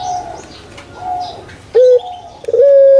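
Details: Puter pelung dove, a kept bird from Java, Indonesia: faint distant coos, then two loud clipped notes, the second swelling into a steady held tone at the end.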